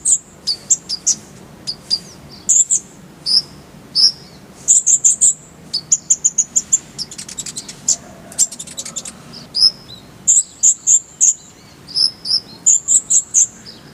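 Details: Purple-throated sunbird, a full, clear song with rapid rolling bursts, used as a tutor recording for songbirds: very high, sharp chirps and short trills in dense bursts, some quick buzzy rolls, almost continuous for fourteen seconds.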